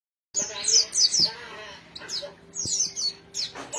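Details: Caged white-eye singing: very high, thin, rapid twittering phrases in quick bursts, with brief pauses between runs and faint background room noise.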